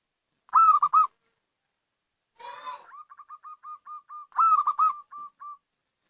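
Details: Local zebra dove (perkutut lokal) giving a call used as a lure: a throaty burst, then a rolling string of short, soft cooing notes, with stuttered coo phrases repeating; background otherwise quiet.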